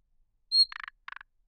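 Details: Thrush nightingale giving one high pure whistle directly followed by two short, low, dry croaking rattles.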